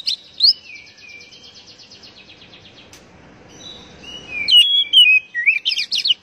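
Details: Oriental magpie-robin (kacer) song meant to prompt caged birds to sing: a long rapid buzzy rattling trill with a low noisy rumble, then bright slurred whistles and quick chirps that grow louder toward the end.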